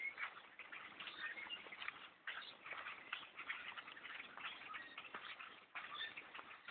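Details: Enormous blackbird flock filling trees near a bowhunting tree stand, relentless overlapping chatter and clicks forming a steady noisy wall of calls.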